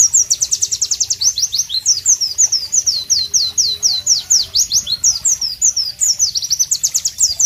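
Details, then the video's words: White-eye, known locally as Pleci, in a loud, sharp, melodious masteran song: rapid streams of high, thin, down-slurred whistled notes, quick trills and chirps delivered almost without pause over quiet natural ambience. "Masteran Pleci Bird Sounds Loud, Sharp and Melodious"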